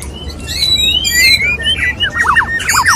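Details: White-rumped shama, a male courting a female: clear whistled notes sliding up and down, then a run of quick descending whistled slurs, with steady low background hum.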